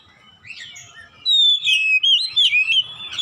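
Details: Oriental magpie-robin giving a loud open 'ngeplong gacor' song meant for training caged birds at home: soft twitters, then a strong sustained whistle breaking into quick, wavering notes at an irregular pace.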